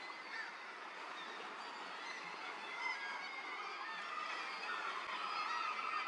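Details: Northern fulmars at Arbroath Cliffs on 15 June 2022 give harsh, guttural cackling calls, several birds running together in a steady overlapping chatter, with a constant background hiss.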